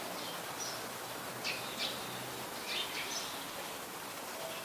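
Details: Malaysian pied fantail, a very common resident, at Ubon Ratchathani, Thailand, on 14 January 2021: soft, high, squeaky notes given in short clusters and separated by pauses, set against a constant hissing background noise.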